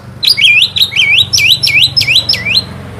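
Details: Oriental magpie-robin (Kacer) sound used to provoke a rival: a harsh, squawky series of about eight swooping dipped notes in quick succession over a low hum.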